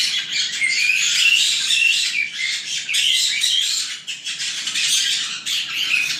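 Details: Nine young white-bellied caiques in an aviary near Dallas, Texas keep up a dense, high chatter of harsh squawks and shrill chirps, nearly continuous with brief dips in volume, as they do every night.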